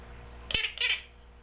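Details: Sixteen-year-old pet Quaker parrot giving a harsh, raspy double squawk: two short broadband bursts about a quarter second apart, then quiet room tone.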